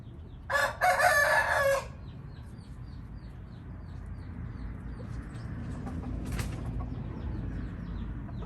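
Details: Indian red junglefowl crow: a loud, raspy call with a short opening note and a longer strained phrase. Small birds keep up high, thin, repeated chirps in the background.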